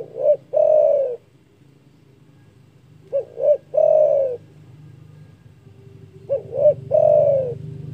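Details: Loud-voiced spotted dove, a keen caller whose big voice is said to rile rivals, repeating a phrase roughly every three seconds: two quick rising hoots, then a long sustained coo, over a low steady hum.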